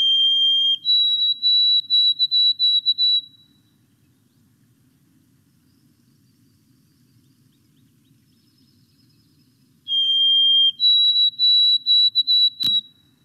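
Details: A White-throated Sparrow sings twice, the "oh sweet Canada Canada" or "old Sam Peabody" song: clear, pure whistles start on a low note, step higher, then break into a run of repeated notes. A sharp click follows.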